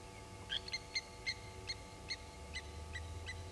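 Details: Blacksmith lapwings mobbing an African harrier hawk at Gowrie dam waterhole, Djuma Game Reserve, Sabi Sand Wildtuin, South Africa, 07:33 on 07/18/19: sharp metallic clinking notes, about eight in quick irregular succession, over low steady background hum.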